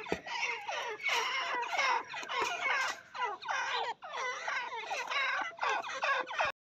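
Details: Female partridge (teetar) calling: a dense, continuous run of harsh, nasal notes that repeat rapidly, each with sweeping, wavering tones. The notes come in close-packed bursts of about a second, with no clear pauses until the abrupt end.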